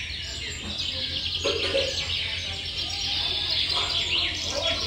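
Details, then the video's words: Nestlings of small birds calling for food, a busy, unbroken tangle of thin, high twittering chirps, with a few brief lower sounds mixed in and a constant low background hum. "Nesting small birds waiting for food"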